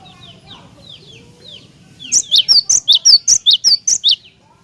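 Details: Loud cinereous tit song meant to prompt other tits to sing. Faint downslurred chirps come first, then eleven loud, sharp, evenly spaced high notes, about five per second.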